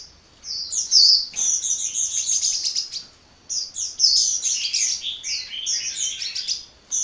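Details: Hummingbird chattering continuously, a rush of thin, very high chirps and rattling trills, broken into long busy phrases by a brief silence near the middle and another at the close.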